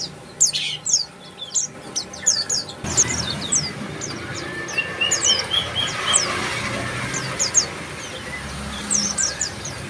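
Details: Bar-winged prinia repeating brief, steeply falling high chirps in irregular clusters, with a short faint trill partway through and a constant soft background hiss.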